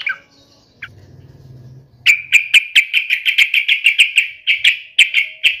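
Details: Sooty-headed bulbul, agitated and in fighting mode, giving a fast series of sharp, ticking chatter notes repeated roughly twice a second, after a brief low hum and a faint earlier chirp.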